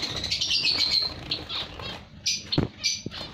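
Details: Colony of zebra finches giving rapid, overlapping high chirps and twittering notes at an uneven pace, with a couple of low thumps or wing-flutter sounds in the background.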